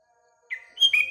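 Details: Sooty-headed bulbul, morning, with nearby birds: a short, rich whistled phrase rising into bright liquid notes, cut off abruptly.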